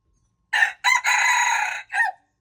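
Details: A red junglefowl cock crows once, recorded February 26, 2025: a brief hoarse syllable, a second note, a long steady rasping stretch, and a short dropping tail note, with the surroundings otherwise quiet.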